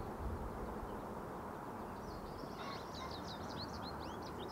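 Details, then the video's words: American goldfinch song: a quick run of high, thin twitters and slurred squeaky notes in the second half, over a steady low rumble like distant traffic. "American Goldfinch Singing"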